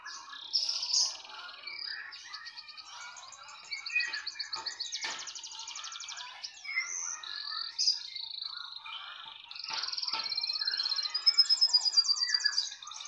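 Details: Canary singing continuously: rapid high trills and rolling buzzy tours change every second or two, broken by sharp chips and brief lower warbled notes.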